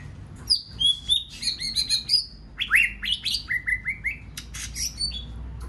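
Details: White-rumped shama song used to provoke other birds into singing: a rapid, varied run of clear whistled phrases and sharp chips, dropping from high notes to a repeated series of rising whistles near the end.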